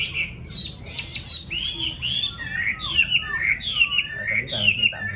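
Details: Home-kept yellow-billed Chinese hwamei in a cage pours out a varied whistled song. Clear sliding notes and rolling, warbled phrases follow one another almost without pause.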